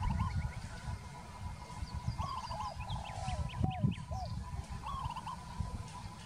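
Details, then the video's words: A peaceful dove gives soft, warbling coos in short phrases every second or two, over a heavy low rumble and high chirps from other small birds. "Peaceful Dove - นกเขาชวา"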